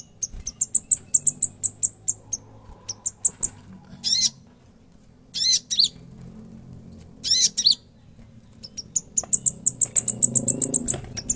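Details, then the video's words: Konin singing chattily with many phrases: quick trains of very high ticks alternate with grating, buzzy bursts, ending in a long accelerating ticking series. "king konin gacor ngobra full isian"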